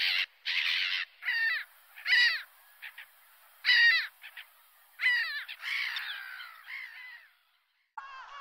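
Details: Seagulls producing loud, harsh laughing cries in repeated bursts, several overlapping callers, ending with a short pause and a final call.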